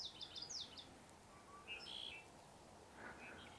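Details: A common yellowthroat sings short, bright, high, repetitive chirpy phrases over a steady outdoor hiss on an April 30 morning at Sargeant Bay Provincial Park, British Columbia, Canada.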